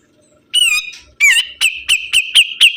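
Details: Sibuntung bird singing actively: a loud wavering whistle and a sharp dropping note, followed by six strong ringing chips repeated about every quarter second over a faint low hum.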